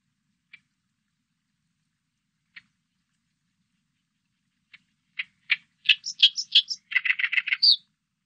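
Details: Oriental reed warbler, 2020 recording: a few isolated soft ticks spaced seconds apart build into a loud, harsh, chattering burst of rapid grating notes ending in a higher squeaky note.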